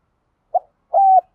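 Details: Spotted dove decoy cooing to rouse a caged male to coo: two brief low coos, a short soft note and then a longer steady note, against a silent background.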